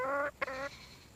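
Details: Red junglefowl giving two clear, harmonic calls: a longer, steady note, a short break, then a second, similar note. Both are mid-pitched and slightly nasal. Quiet background afterwards.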